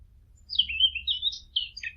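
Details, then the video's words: A short, sweet run of descending and wavering whistled chirps from a bird, over a faint low hum in the background. "نصف ساعة من صوت العصافير الجميل ، Yarım saat kuş cıvıltısı ، Half an hour of birds chirping"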